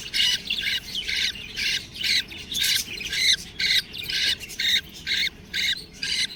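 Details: Baby budgerigars calling in harsh, raspy squawks, each short and broad, repeated about twice a second in a steady rhythm with brief quiet gaps between them.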